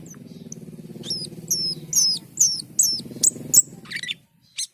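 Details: Cucak keling, or black-and-white bulbul, in gacor and teler singing: a series of high slurred whistles repeated about twice a second, over a steady low humming drone.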